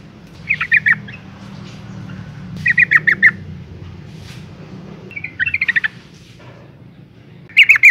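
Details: A breeding female Yellow-vented Bulbul calls for males in short clusters of quick, sharp chirps. Four bursts are separated by quiet gaps over a faint low background rumble.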